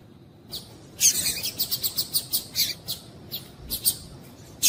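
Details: Calls of a female double-collared seedeater, used to get males singing: a rapid run of high, bright chirps repeated several times a second, slowing to spaced single notes near the end, with little background noise.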